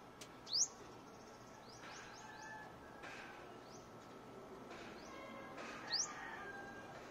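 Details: Luzon sunbird giving two thin, sharply rising high-pitched call notes about five seconds apart, with faint lower chirps and steady background hiss in between.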